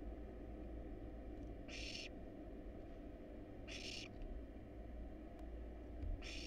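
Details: Hungry wild barn owl chicks begging in a research nest box as prey is brought in: three rasping hiss-screeches about two seconds apart against a constant low background drone.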